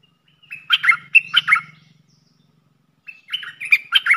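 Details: Caged red-whiskered bulbul kept as a decoy for luring wild birds, singing two quick bursts of bright, bubbly warbled notes, a pause, then another chattering phrase; a faint low hum runs beneath the first half.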